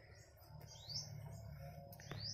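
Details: Bar-winged prinia at its nest beside a house on a hot day, the adult caught in the nest: two thin, quick chirps sweep upward to a high pitch, about a second apart, over a low rumble of handling noise.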